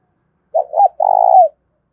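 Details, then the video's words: Spotted dove used as a decoy to attract wild doves, Thổ style caller: a low, mellow two-part coo leading straight into a long, steady, slightly trembling coo that drops at the end; nothing else audible. "tieng cu gay kich boi nhanh noi gù hiệu quả - Chim Cu Mồi"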